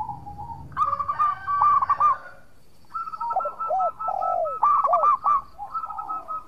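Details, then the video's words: Local zebra dove singing actively, a recording meant as a lure to make rival birds answer: bursts of quick stuttering cooing notes, then a longer rolling run of hooked, falling coos with brief pauses. "Perkutut Lokal Gacor Suara Merduk Cocok Buat Pancingan - Bikin lawan langsung Nyaut!!!"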